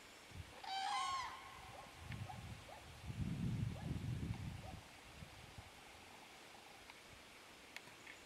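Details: Common cranes at Borki in July 2013: one loud, rich, trumpeting call, then several faint, short, higher notes from farther off, over a low rumble of wind.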